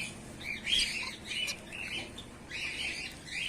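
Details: Bengalese (society) finches, white birds in a male-and-female colony, chatter in a busy flock, their high, buzzy chirps overlapping in quick bursts every half second or so, with a soft low hum underneath.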